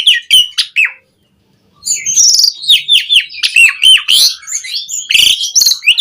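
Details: Asian pied starling singing energetically, used to stimulate caged birds: a few sharp chirps, a brief pause, then a fast run of rising and falling whistles mixed with rasping, crackly notes.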